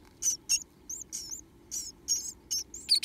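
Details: Two remaining Japanese tit nestlings in a nest box beg with open mouths, giving high, thin, squeaky chirps in quick bursts of about three a second, some overlapping and rasping, against a faint low hum.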